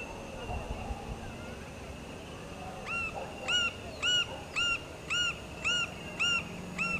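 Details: Green-barred woodpecker (Colaptes melanochloros) at its nest gives about eight ringing, down-slurred notes, evenly spaced at roughly two per second, over a low background rumble.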